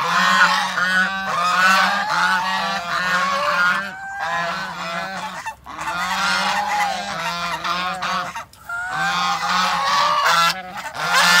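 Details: Many geese honk at once in loud, jostling bursts of nasal calls. The chorus swells and dips, with short pauses near the fourth, sixth and eighth seconds.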